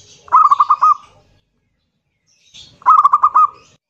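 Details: Kerot nguwor song of a loud local zebra dove, used to prompt others to sing: two separate phrases, each a tight cluster of five or six fast, chuckling coo pulses.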